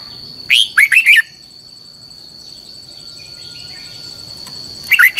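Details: Lure song of a Red-whiskered bulbul for training, long twisted double-voice style: a crisp phrase of one high whistle and three tumbling notes, then silence apart from a steady whine, and a new phrase starting near the end.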